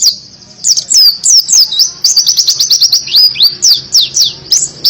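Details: Continuous energetic white-eye song in canary-imitating 'tembakan' style, used to encourage lazy birds: dense high twittering with swooping down-slurred whistles and sharp clicks, nonstop throughout.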